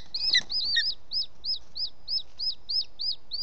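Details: Booted eagle, male delivering an unidentified bird as prey to the nest late in the evening on 18 June 2017, Els Ports Natural Park: rapid, evenly repeated high, sharp, down-curving notes, roughly three a second, over quiet background.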